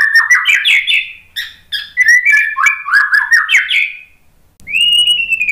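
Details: Shama lure song to make a stressed, post-moult white-rumped shama answer: quick cascades of varied whistles and chirps for four seconds, a brief pause, then one long, even whistle.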